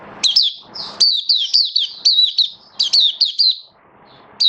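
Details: Loud, rapid oriental white-eye song from a kept bird building up form on 19 September 2022: a fast string of high whistled chirps with downward slurs, roughly four to five per second, pausing briefly before restarting.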